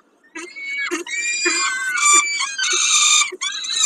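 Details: Peregrine falcon at Kawęczyn around a snack, 20.05.22: a near-continuous run of overlapping, nasal, harmonic wails and squeals, some bending downward, broken by brief gaps and soft low knocks.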